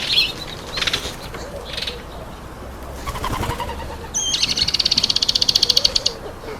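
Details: Speckled mousebirds feeding on an apple: scattered high chirps, then a rapid buzzy pulsed trill lasting about two seconds; faint low cooing behind.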